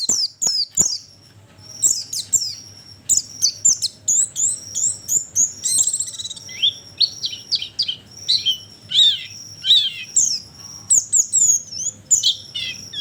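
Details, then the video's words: Oriental white-eye sound used as a lure for attracting birds: a busy stream of high twittering notes, rapid chirps and short descending slurs, nearly continuous, over a faint low hum. "Pancingan burung pleci ampuh"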